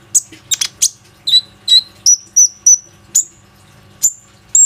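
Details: ['Plain-throated sunbird lure song meant to provoke other sunbirds into singing, phone recording: sharp high chips, then a run of clear, slightly rising whistled notes spaced about half a second apart.']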